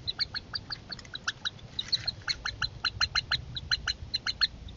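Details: Young Northern harriers during a family feeding; steady runs of sharp, nasal chattering notes, about four a second, with brief pauses between bursts over faint background hiss.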